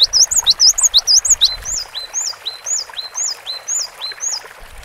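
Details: Cinereous tit in vigorous, long-running song used as tutor audio for songbirds: a fast burst of high looping whistled notes, then slower down-slurred whistles spaced about half a second apart, steady background hiss.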